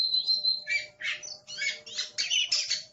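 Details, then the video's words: Brief burst from an aggressive Oriental magpie-robin: a steady high whistle followed by quick harsh, buzzy chirps and scratchy notes, with a faint low hum behind. "Suara Master Burung Kacer Galak"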